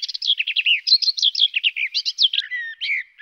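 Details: Garden warbler phrase of quick, rolling, liquid notes in even rapid succession, ending in a few lower slurred whistles.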